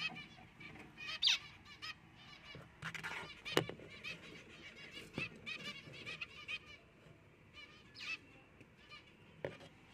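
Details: Four zebra finch chicks (one albino, two white pied, one fawn) give short, nasal, harmonic calls, overlapping in a busy, rapid chorus.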